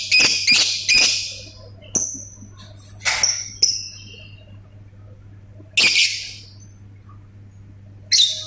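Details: Lovebird ngetik calls: scattered sharp, high clicking and ticking notes and short harsh bursts separated by quiet gaps, over a low hum.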